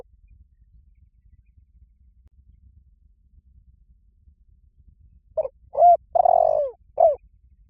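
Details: Spotted dove lure call: after a long quiet stretch with low rumble, one phrase of soft, hollow coos, short notes then a longer drawn coo and a final clipped note.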